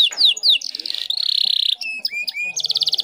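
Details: Indonesian female canary in heat, singing to lure a male: short downslurs, a sustained buzzy trill, rising whistles, and a closing fast trill.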